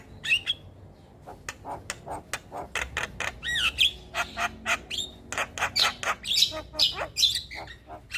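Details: Javan myna, in a training recording of a lively songbird: a continuous string of harsh squawks, rasping clicks and short scratchy whistles, delivered several per second with little pause between notes.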